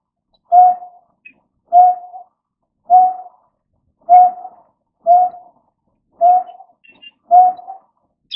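A greater painted-snipe gives seven deep, hollow hoots, like blowing across a bottle, spaced about a second apart, against a quiet background.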